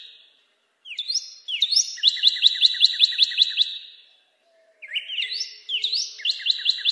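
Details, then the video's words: Northern cardinal: rising slurred introductory whistles, then a rapid, evenly spaced run of bright notes, with a second similar phrase after a short silence. "Northern Cardinal (Cardinalis cardinalis) Calling"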